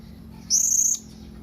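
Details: Blue-crowned hanging parrot calling to companions: one thin, very high whistled note lasting about half a second, steady in pitch, over a quiet low hum.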